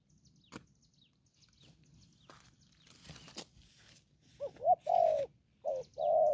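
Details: Young spotted dove used as a trapping decoy, giving the đồng pha call. Rustling and handling noises come first, then in the last two seconds a short note followed by a long, smooth coo, repeated twice.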